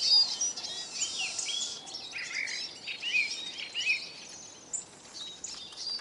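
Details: Eurasian siskins at a bird feeder in Kolmården, Sweden, recorded from the ground beneath the table; high chattering twitters with several wheezy slurred notes dropping in pitch in the middle.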